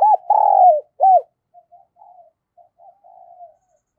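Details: Spotted dove kept as a decoy, calling to lure wild doves: a loud opening phrase of a long, hollow coo and a short rounded note, then several faint, soft murmured coos trailing off.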